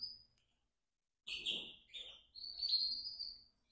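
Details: Four domestic canary chicks in a nest, bred in captivity: after a quiet start, a burst of high, thin, drawn-out squeaky calls, with one long rising-and-falling note toward the end and faint rustling in the nest.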